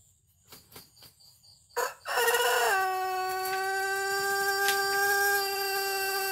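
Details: Pelung rooster of the Cianjur breed giving a long crow: after a few faint knocks, a loud, rich, nasal crow bursts in, dips slightly, then settles into one very long, steady drawn-out note held for over four seconds.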